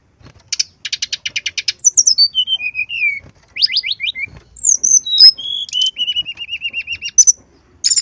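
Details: Brown-chested jungle flycatcher singing energetically, played to coax other birds into song: a burst of rapid chips, then sliding downward whistles, a quick rattling series and a long wavering trill.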